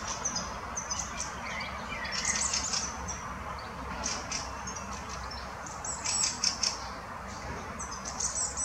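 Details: Fieldfares, adult and young, in the Munich Botanical Garden calling: thin, high chirps and short scratchy notes in scattered bursts every second or two, over a steady background hiss.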